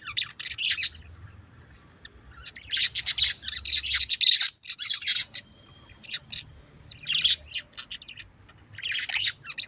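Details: Tame pet parrot giving bursts of harsh, high chirps and squawks in short clusters separated by brief quiet gaps, with a low background hum.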